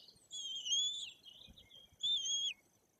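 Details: White-tailed eagle chicks almost three weeks old being fed by their parents at a nest in Bory Tucholskie, Poland; two drawn-out high whistled squeals, the second shorter with a falling end.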